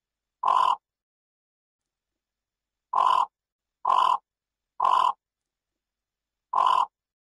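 Yellow bittern giving five harsh, croaking single calls, each brief and raspy, spaced irregularly over seven seconds; silence between them and no other sounds.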